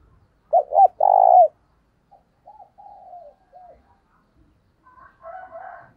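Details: Spotted dove used as a decoy, giving its thúc bổi lure call. It opens with two short, low notes and a long, strong coo. Fainter answering coos follow, then a higher, rough warbling at the end.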